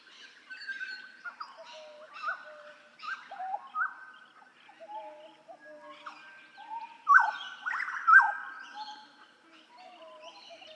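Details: Hooded butcherbird song recorded in Papua: a series of fluted whistles and downward slurs, paced about once a second, with two louder ringing phrases in the latter half and soft background notes.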